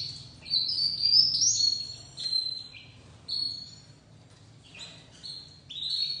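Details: Beginner song from a young white topknot canary: scattered short phrases of high, clear whistles and brief trills, with quiet gaps between each phrase.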